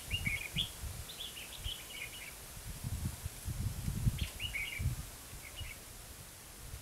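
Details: Red-whiskered bulbul in Hòa Mạc, Hà Nam, Vietnam, heard during trapping: a run of quick jaunty warbled notes, a pause, then two more short phrases, all over loud low-pitched rumbling and knocking.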